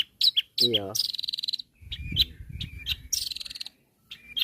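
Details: Long-tailed shrike calling out to rival birds: mixed sharp chirps, a fast buzzy rattling trill near the start, then scattered high chips and a harsher burst, delivered in uneven spurts with quiet gaps.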